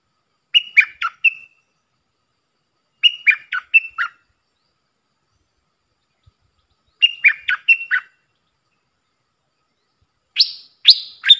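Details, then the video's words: Training decoy of a puff-throated bulbul for young birds: three chattering phrases of four harsh notes each, spaced about three seconds apart, followed by a higher, buzzier burst of notes at the end, all in a quiet background. "เสียงต่อนกดอกแตงEp.114เสียงสำหรับหัดลูกเสอ/ลูกป้อน!!Birds sounds"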